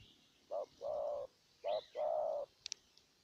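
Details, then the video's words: Spotted dove decoy bird from Ninh Thuận, Vietnam, cooing to lure a wild dove: two pairs of a short low coo followed by a longer drawn-out coo, fairly soft, then two sharp high chirps from another bird. "Cu Gáy Ninh Thuận clip 144 [ Hiệp 2 ] Mồi Siêu Gù thu phục bổi quá tuyệt vời"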